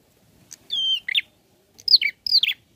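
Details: Bar-winged prinia calling actively while seeking a rival: a pure whistled note held steady, then a sharp burst and two descending slurred phrases, high and clear, over near-silent background.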